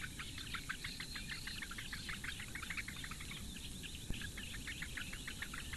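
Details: Nestling Eurasian bitterns, four chicks fed by the female on a webcam nest at Lake Engure, Latvia, in May 2017, give a rapid, somewhat uneven chatter of short begging ticks, slightly fainter than usual.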